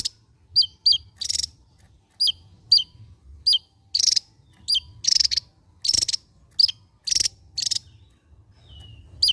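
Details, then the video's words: Javan white-eye, a bird endemic to Java, mixing crisp downslurred chips with loud buzzy rattling bursts in lively gacor ngebren song, phrases every half second or so. "SI MUNGIL BERSUARA T4JAM..SANG BURUNG ENDEMIK JAWA YANG MEMUKAU,GACOR NGEBREN BAK BURUNG BESAR"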